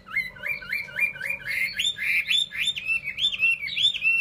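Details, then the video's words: Vietnamese cage-bird Chinese hwamei repeating a rising, bouncy whistled phrase about three times a second, loud and steady across the whole stretch. "họa mi"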